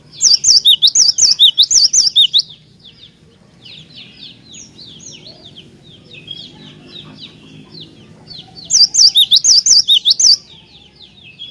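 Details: Cinereous tit song for provoking other tits into song: a burst of quick, piercing, alternating high-low whistles, a long pause filled with soft scattered chirps of other birds, then a second matching burst.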